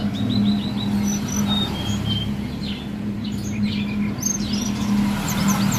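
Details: Vigorous song of a mountain prinia, opening with a quick series of four clear, high, upslurred whistled notes, then scattered sharp chirps and trills, all set against a constant low engine-like hum.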